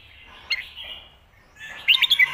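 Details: Red-whiskered bulbul song of the styles locally called "phat kuaitiao" and "khayao khuat", played for teaching birds at home: a soft warbled phrase, then a louder burst of quick bright chirping notes near the end.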